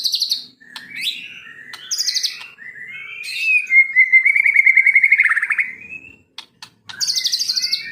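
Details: Kept white-rumped shama of the Medan type, in training to copy other birds: bright high whistled phrases alternating with a long trilled, rattling passage held at mid pitch, with short clicks between phrases.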